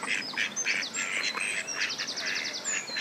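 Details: Two male Mallard drakes fight on a pond in spring over a female, giving harsh, rasping bursts in quick clusters amid splashing, with thin high chirps from other birds behind.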